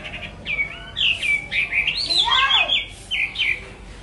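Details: Lively hwamei song of tumbling whistled notes, rapid slurs and a dense warbled middle passage, ending with clear repeated upward whistles.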